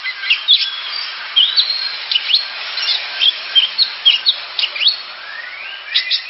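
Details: Oriental magpie-robin giving sharp, clipped whistles and short downslurred chips spaced irregularly over a steady hiss, with a rising whistled slide near the end.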